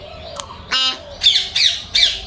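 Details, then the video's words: Pet talking parrot calling indoors while being prompted: a short harsh broadband burst followed by three loud raspy squawks roughly every half second, with faint human voice before. "আমাদের কথা বলা মিঠু"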